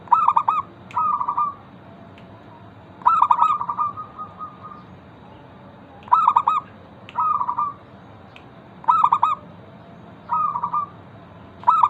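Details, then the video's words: Local zebra dove in full song, used as a lure to prompt other zebra doves to answer. Mid-pitched cooing phrases recur about every three seconds. Clipped staccato notes alternate with smooth rolling trills over a steady low background hiss. "Perkutut lokal gacor pancingan ampuh Suara disukai burung perkutut bikin cepat bunyi langsung nyaut"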